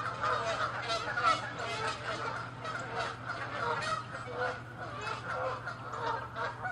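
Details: Canada geese fighting and chasing one another in a territorial clash, giving a dense run of loud, harsh overlapping honks throughout, several birds calling at once with barely a pause.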